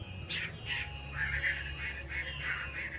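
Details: Two captive hwameis giving loud, harsh, scratchy phrases in quick bursts, some with ringing upper tones, over a steady low hum.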